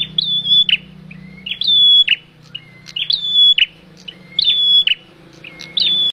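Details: Male bar-winged prinia, used to lure birds into traps, gives a bright, even whistle bracketed by sharp chips, plus a softer lower note. Five or six phrases run in quick succession over a low hum.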